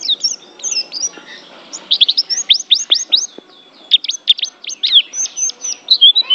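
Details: High, sweet twittering from a white-eye, known locally as pleci: bursts of quick downward-swept chirps separated by brief pauses, with thin whistled notes between the runs.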